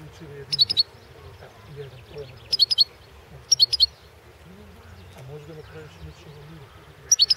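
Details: European goldfinch, Balkan subspecies Carduelis carduelis balcanica, recorded for the 2016 World Championship in Goldfinch Song, an internet singing competition in Serbia; short bursts of bright, high chirping twitters roughly every 1.5 seconds over a low murmuring background.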